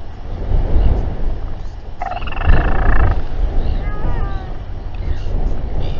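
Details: Royal albatrosses during a stressful group gathering and fight at a nest site in New Zealand, 7:42 pm, 27 January 2021; a harsh, broad burst of sound lasts about a second, then thin harmonic wavering notes, all over heavy wind rumble.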